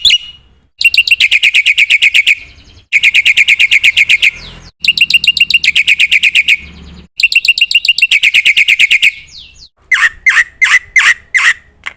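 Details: Black-winged myna song, used as a training recording to prompt birds to sing morning, noon and night: loud, high bursts of rapid chattering notes about a second and a half long, separated by abrupt gaps, ending with a few separate harsh downslurred calls.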